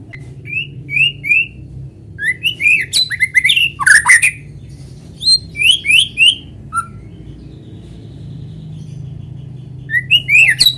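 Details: Lure recording of a vigorously singing white-rumped shama meant to set other shamas singing: short slurred whistles repeated in threes, then a dense burst of harsh rasping notes and rising whistles, with pauses between phrases.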